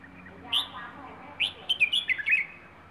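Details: Plai ho style singing by a wild bird from Rayong: one upslurred chirp, then a bubbling series of quick, bright notes. A low hum sits beneath.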